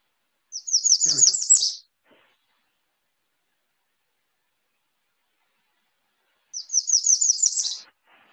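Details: An American Redstart gives two bursts of about seven thin, very high notes in quick succession, each ending with an emphatic flourish, six seconds apart; it is a loud call, easy to find in the field.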